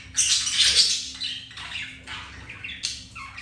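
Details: Budgie pair mating, the male having been rejected by a white-grey hen first; one long harsh squawk followed by shorter scratchy notes with falling tails, steady hum beneath.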